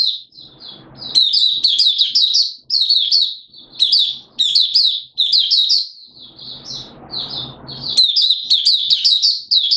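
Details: Malaysian Oriental white-eye in Singapore, 29 March 2023, warm humid weather with sudden showers, in open-singing 'buka sing' style: rapid high twittering bursts of thin sweet notes, phrases roughly every second or two, brief soft rustling between them.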